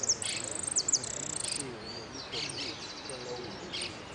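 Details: Contest hooded siskin in a winners' final at Merlo: a fast, high buzzy trill with sharp chirps for about a second and a half, then quieter voices and scattered faint twitters.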